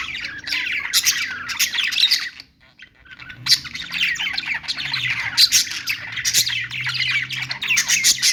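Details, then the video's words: Budgerigars twittering and warbling in lively bursts with a brief pause, over a faint low hum in the background. "budgies singing | budgie sounds | parakeet chirping sounds"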